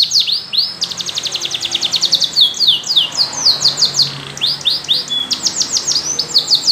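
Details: Yellow canary in full song: a quick trill of evenly repeated notes, then swooping downward whistles and fast rolling phrases, bright and high, continuing without pause; background quiet.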